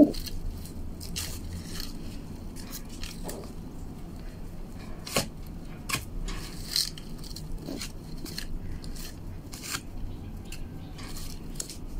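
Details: Scraping, crackling and sharp tapping sounds over a low indoor rumble, with no clear animal voice.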